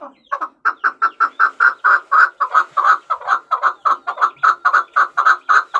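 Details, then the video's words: Chukar partridge (chakor) calling: a fast, steady run of harsh clucking notes, roughly four per second, repeated evenly through the whole stretch with no other sounds heard. "Chakor Ki Awaz || Chukar Partridge Sound"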